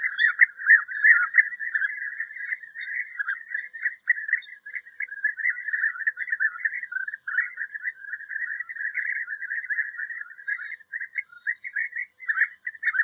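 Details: European bee-eaters in a steady, unbroken stream of overlapping rolling, liquid trills, sounding like several birds calling together without pause.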